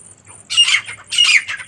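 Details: Two harsh, grating squawks from a female partridge (teetar), given in quick succession about 0.6 seconds apart, each a dense burst of raspy, noisy sound.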